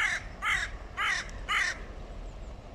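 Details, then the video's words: Hooded crows in a clan war between two groups: four loud, hoarse caws given about every half second, each harsh and slightly arched, followed by quieter background noise. "Серьёзные разборки двух кланов ворон / Hooded crows. Serious clan wars"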